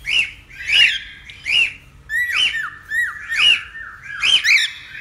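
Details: Repeated cockatiel squawks, meant to help tame a cockatiel: six harsh, peaked notes that rise and drop sharply, roughly one every seven tenths of a second, with some notes running into a short falling tail.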